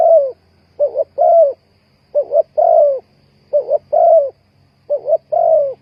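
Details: Spotted dove cooing, used as bait when trapping birds: repeated phrases of a short two-part coo and then a longer, slightly falling coo, about four phrases over six seconds, with faint low hum behind.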